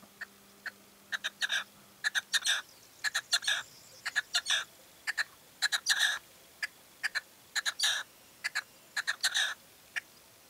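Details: A male red-legged partridge (Alectoris rufa) calling in late evening light in La Serena, Extremadura, giving harsh, grating chuck notes in rhythmic clusters of two to four, repeated steadily, with a faint low hum at the start.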